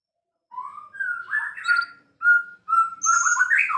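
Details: White-rumped shama, a champion songbird, sings energetically: clear rising whistles, then repeated level notes in a steady rhythm, then a rapid, busy warble with high accents.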